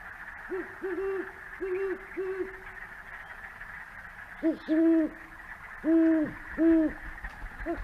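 Great Horned Owl pair dueting: the male gives four deep, soft hoots, then the female answers with higher, louder hoots, over a steady faint hum.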